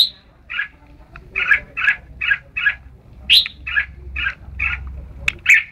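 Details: Red-whiskered bulbul at Ban Song giving a steady series of about eleven short, bright chirping notes, roughly two per second, with higher sharp notes mixed in; faint low rumble beneath.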